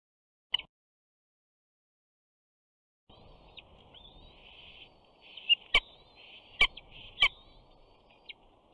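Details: At a Big Bear nest on 21 June 2019, a 68-day-old bald eagle chick greets an adult arriving with fish. After a quiet start come shrill, slurred whistles in quick runs, broken by several sharp loud knocks.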